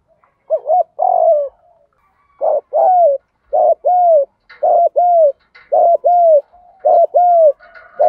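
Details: Spotted dove kept as a decoy to lure wild doves, giving rapid 'gù thúc' urging coos: about seven closely spaced phrases of short wavering notes and drawn-out falling coos, nearly one per second.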